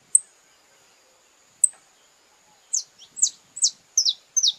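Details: A Brazilian saffron finch in courtship song gives two lone high chips, then breaks into a quick run of bright, falling chirps. A steady thin high tone sits behind the bird.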